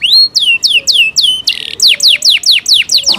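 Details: Yorkshire canary kept in captivity delivers a quick series of loud downward-swooping whistles, about four each second, with one short harsh buzz in the middle. A faint low tone sounds behind.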